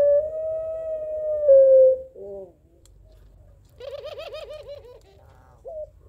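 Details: Barbary dove, puter pelung, calling back at a rival: a two-second drawn coo dipping at the end, then a rapid rolling series of pulsed notes.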